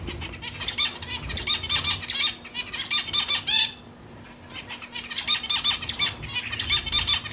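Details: Zebra finch giving rapid bursts of short, nasal, buzzy beeping calls with stacked harmonics, several per second, pausing briefly midway before resuming; faint low rumble behind.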